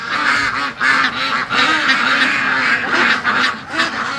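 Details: Penned domestic ducks on a free-range flock quacking loudly all day, upset and mad about being kept in lockdown; a dense, continuous chorus of harsh, overlapping quacks and honking calls with brief dips in volume.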